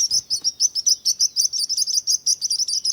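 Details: Loud, quick bird chirping: crisp high tweets, some with a twisted shape, repeated about three times a second in a steady stream.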